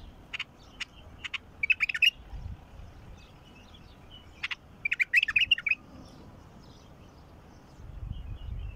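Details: Wild bulbul singing, tested to prompt a silent caged bulbul to start singing: two bursts of quick, bubbly warbled phrases around 4.5 and 1.7 seconds apart, preceded by a few sharp single chips, with soft rumbling background noise.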